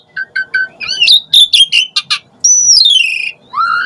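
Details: Asian pied starling (jalak suren) recording used as a lure to provoke starlings into singing; varied whistled notes, short repeated chirps then a long clear whistle sliding downward, ending in a rising note.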